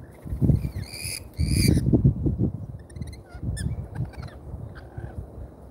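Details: Lorikeets at a feeder in Australia, watched live: two loud bursts of harsh, screechy calls early on, then shorter scratchy squawks tailing off, over a steady low rumble.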